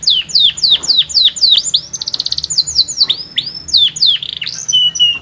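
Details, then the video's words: Strong canary song with a distinctive rhythm. Loud, evenly spaced downward-swooping notes are broken by a fast mechanical rattle, then looping slurs and a final thin whistle. "صوت الكناري قوي مع أغنية مريحة ولكن بإيقاع فريد"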